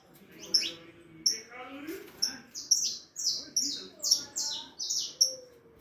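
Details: Four-and-a-half-month-old harlequin saffron finch singing evenly spaced high, sharp chirps about twice a second, each with a bright downward sweep, while faint low voices murmur in the background.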